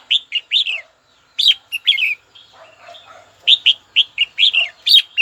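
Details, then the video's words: Song of a red-whiskered bulbul aimed at a rival: lively clusters of quick, fluty chirps in several bursts, with a softer, muffled passage in the middle. "Chào mào gọi bổi tố chất nhất"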